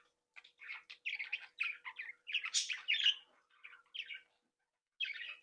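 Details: Budgerigars of a home breeding flock, playing and interacting, give short bursts of twittering warble and chirps, pausing in silence before a final brief chattering phrase.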